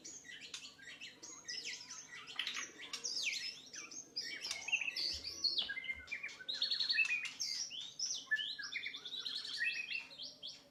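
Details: White-rumped shama song used as a training recording for other birds: a dense, unbroken stream of varied whistles, trills and sharp chirps, mostly high-pitched, layered and overlapping with almost no pauses.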